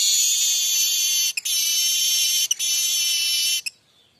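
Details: Streaked weaver, a very vocal bird, giving the buzzy 'mbeset' song style used to tutor untrained weavers: a long sizzling high buzz, broken by two short gaps, ending abruptly after about three and a half seconds.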